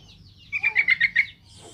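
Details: Yellow-vented bulbul in lively song, used to provoke beginner birds into answering: six rapid, bubbly notes in a tight burst, then quiet.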